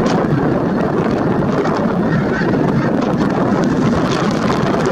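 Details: A large flock of snow geese at Merced National Wildlife Refuge on 22 January 2023, heard as a dense, unbroken chorus of overlapping nasal honks at steady loudness, with low wind rumble underneath.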